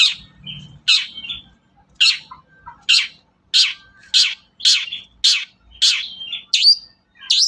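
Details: Long-tailed shrike used as a lure to get shrikes singing: loud harsh downslurred notes repeated about every half second, some followed by short whistled tones.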